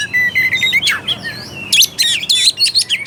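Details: Lure song of an Oriental magpie-robin meant to stir a lazy, unaggressive bird to sing. Steady high whistled notes give way to a rapid run of buzzy, scratchy phrases and sharp chirps.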